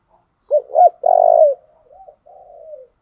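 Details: Spotted dove used as a decoy to train newly caught birds: two short rising-falling coos, a loud drawn-out buzzy coo, then two softer trailing coos sliding downward.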